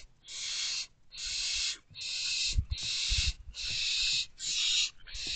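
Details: Barn owl owlets in a nest box at night, 15 May 2023, while their father brings food; long rasping hisses repeat steadily, each under a second and separated by brief gaps, over faint low bumping.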